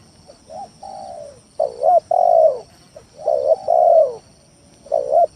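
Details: Spotted dove song for luring rivals into calling; soft short coos lead into a loud wavering coo and a sustained falling coo, phrase repeated with another beginning at the end, over faint hiss.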